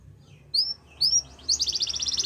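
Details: Yorkshire canary song for training: two thin rising whistles, then a fast buzzy trill, quieter than the surrounding song.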